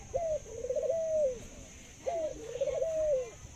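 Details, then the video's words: Cooing zebra dove, noted for a laughing, very long call: two phrases, each opening with a clipped high note, breaking into a quick rolling stutter and ending in a drawn-out, gently falling tone. "Chú chim cu Thái biết cười và có tiếng gáy lâu nhất thật đẹp"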